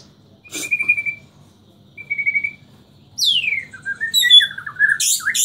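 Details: Bornean white-rumped shama from Samarinda singing in the nyangkul and roll tembak style. A sharp click, then level whistled trills, followed by steep sweeping whistles, dipping rolled phrases and bright high notes. Quiet background.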